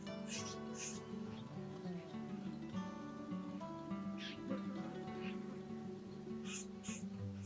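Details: Strummed acoustic guitar in a flamenco-like style carries on without pause, with no animal call heard.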